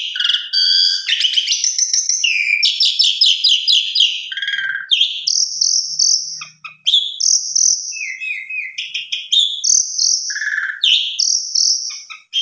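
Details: Javan pied starling singing a long, varied lure song meant to set other starlings singing: dense chattering trills, sharp whistles, repeated high flat notes and low slurred phrases, almost unbroken throughout.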